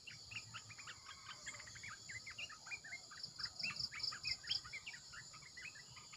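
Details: Red-eyed bulbul decoy song: rapid, irregular chirps and short rising notes in quick bursts, with a faint rhythmic high beeping series running through the middle.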